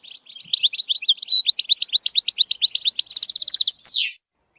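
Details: European goldfinch singing a batbata-style tutor song for young birds. Fast, liquid twittering notes run almost without pause, ending in a tight buzzy trill and one sharp downward slur.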